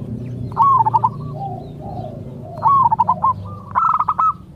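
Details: Local zebra dove song for prompting other doves to reply: three phrases of quick, trilling, stuttered coos, with soft, lower coo notes between them.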